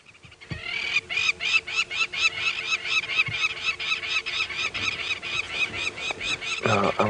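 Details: Noisy lapwings calling constantly overhead in the sky at Djuma Game Reserve, 7:30 AM drive, 21 August 2016: harsh strident notes about two per second from several birds, with a steady low engine hum underneath.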